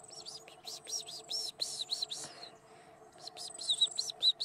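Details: Superb Fairy-wren recorded at Bago near Wauchope, giving fast clusters of high, sharp, chirping trill notes in uneven bursts. A few brighter whistled notes come near the end, over a low steady hum.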